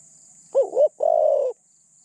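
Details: Decoy spotted dove used to lure wild doves, described as having a medium-pitched voice with thin phrasing; a short double-humped coo followed by one long, steady, mellow coo, with quiet background otherwise.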